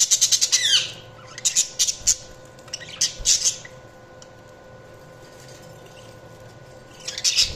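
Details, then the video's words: Budgies giving a quick burst of high, scratchy squawks and chirps, then several separate sharp calls, a long quiet stretch, and a final burst of chirping, over a low hum. "Budgies Chirping sound"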